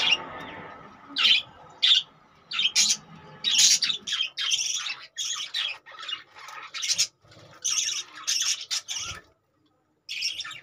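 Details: Budgerigars in cages making harsh, scratchy squawks and grating chirps in uneven bursts, roughly one or two each second, with brief silences between and a quiet gap near the end.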